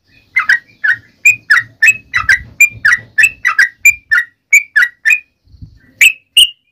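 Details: Sooty-headed bulbul calling its companions: a quick series of chirpy whistled notes in pairs, then a short gap before two higher, sharper notes; faint low hum underneath.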